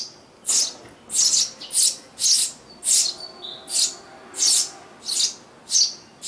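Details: Family of Eurasian tree sparrows in a garden nest box, summer 2012, where a pair nests yearly; nine shrill, breathy chirps repeated at uneven intervals of about two-thirds of a second, with a brief thin whistle mid-sequence.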